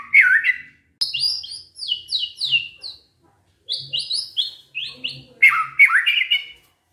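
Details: White-rumped shama in captivity delivering canary-imitating song, a run of high rapid downslurred notes between lower warbled phrases, in bursts with short pauses.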